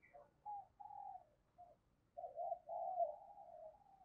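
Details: Spotted dove kept as a decoy, calling in the thúc and gáy gọi manner to attract birds. A series of low, burry coos, some short and some long and wavering, over a faint background rumble.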